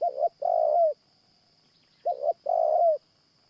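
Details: Spotted Dove at a morning decoy trapping session, cooing twice about two seconds apart; each phrase pairs a short quick note with a longer smooth coo dropping at the end, a faint steady high tone beneath.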